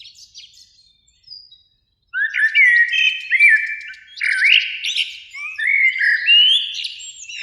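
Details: After a near-silent opening with faint high notes, a Eurasian blackbird in a springtime beech by a lake at evening bursts into loud fluty rising phrases and chattering high twitters.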